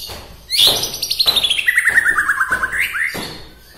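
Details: White-rumped shama from Bahorok, Medan, whose song stirs up other shamas: a loud rapid trill of clipped notes sliding steadily downward, ending in a brief upslurred whistle, with sharp knocks before and after.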